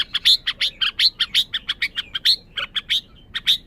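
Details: Red-whiskered bulbul uttering quick, loud, sharp chirps in a lively, slightly irregular series, about four per second. The background is clear.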